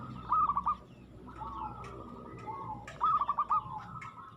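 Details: Zebra dove in aggressive song: two short phrases of quick, stuttering coos about three seconds apart, over a fairly loud background hum.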